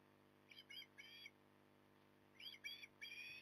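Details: Osprey at a nest in Port Lincoln, recorded 9 October 2020 at 08:23, gives two bursts of short, harsh whistled calls, each a quick cluster of three notes, with a quiet gap between them over a steady low hum.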